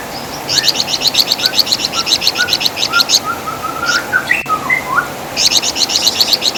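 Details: Wergan Jawa, the flamboyan bird, used as a master song for songbird training: quick, high chattering runs at start and end, with softer lower whistled notes from another bird in between, over steady hiss.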